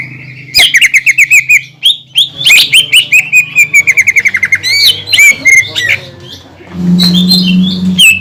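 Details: Greater green leafbird singing in a lure recording meant to provoke other leafbirds into song: a rapid run of sharp chirped notes, then varied whistled phrases and a high sweeping whistle near the end over a low steady hum.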